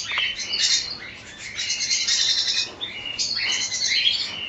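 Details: Cockatiels calling together as a colony: a continuous chorus of shrill chirps and squeaky whistled notes, steady in loudness with one short dip midway.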